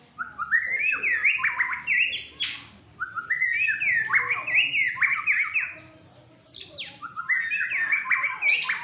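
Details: Fighter white-rumped shama singing hard and agitated: loud rich phrases of slurred, stepped whistles, broken by sharp high clicks and short pauses, each burst lasting two to three seconds.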